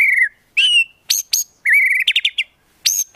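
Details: White-rumped shama competition song in 'tembakan' style: a clear falling whistle, a bright slurred note, two piercing high strokes, a sustained whistle breaking into quick stuttered chips, and a final sharp high note.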